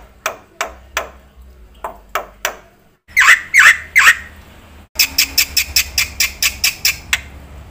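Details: Black-winged myna in full, chattering song, used to prompt and tutor other birds. Scattered sharp clicks lead into three loud, harsh squawky notes, then a quick series of crisp, evenly spaced notes.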